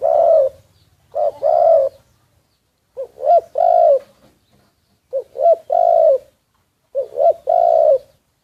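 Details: Spotted dove used as a decoy bird, recorded secretly. Four low, mellow cooing phrases, each a short lead-in note followed by a longer drawn-out coo, spaced about two seconds apart. Otherwise quiet.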